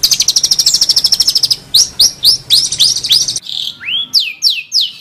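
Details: Long-tailed shrike (cendet), gacor masteran song: a fast rattling trill of high notes, then loud upward-swept whistled notes repeated several times per second, with one lower rising slur near the end.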